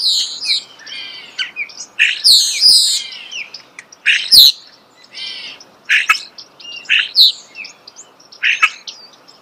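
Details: Starling at close range producing bursts of high, squeaky screeches, rattling notes, and sharp clicks in uneven phrases with short pauses between them.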